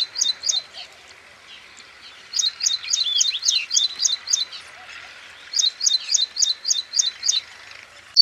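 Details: An Ashy prinia in Rajasthan, India gives three quick bursts of sharp, high, repeated notes, six to eight per burst, with short pauses between, and faint bird chatter in the background.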